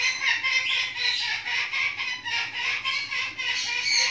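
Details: Hand-fed baby cockatoo, just hatched, gives continuous rasping, wheezy churring pulsed in quick, irregular surges about four times a second, loud and unbroken throughout.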